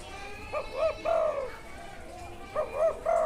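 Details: Wild spotted dove with a good karam calling style: two phrases of low hooting coos, each ending in a long falling note, about two seconds apart over steady background hiss.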